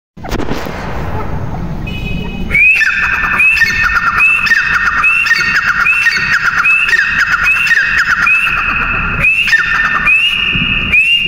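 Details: Partridge (teetar) calling: after about two seconds of rough noise, loud whistled notes that each rise sharply and then hold steady, with buzzy overtones. The notes repeat roughly every 0.8 seconds in a steady series.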